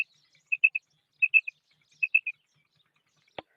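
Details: Female quail gives three groups of short, sharp, high notes in quick triplets, followed by a single click near the end.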